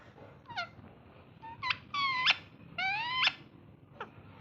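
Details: Ringneck parrot kept as a pet, talking and playing: short rising squeaks followed by two longer, harsh harmonic calls that bend upward at the end, then a final brief note.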